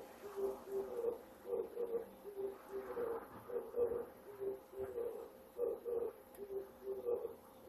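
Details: Oriental turtle dove singing in Japan at dawn in early September, a male calling in breeding season to attract a female and claim territory; low hoarse cooing phrases, 'de-de-poppo-po', repeated in a steady rhythm with faint background hum.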